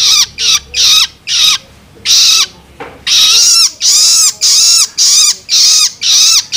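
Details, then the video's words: Young long-tailed shrike begging, meant to stimulate adults: rasping, hoarse squeals in quick bursts, a brief stop after the first second, then a steady run of harsh repeated calls. "Cara Jitu Untuk Merangsang Burung Cendet Dewasa Dengan Suara Loloan Anakan Cendet"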